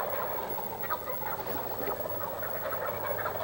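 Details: Wild turkeys in a state forest in south-central Iowa gobble in a dense, overlapping chorus of rapid, rattling gobbles, several birds calling at once.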